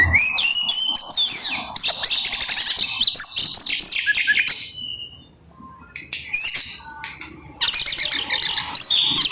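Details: Oriental magpie-robin in grabakan style, a rapid outpouring song packed with varied mimicked phrases: bright high whistles, buzzy trills and quick chirps in dense bursts, with a quieter pause midway before another loud burst.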